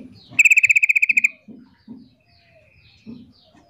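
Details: Female sooty-headed bulbul calling for a male to reply: a rapid, regular rattle of about fourteen bright, clipped notes, followed by low thumps and a thin faint whistle.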